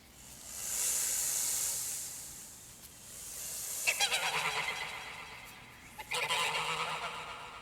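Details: Canada geese along a Canadian river give two bursts of harsh, nasal honks in quick, uneven runs after a stretch of steady hissing rush; such honking coordinates flocks.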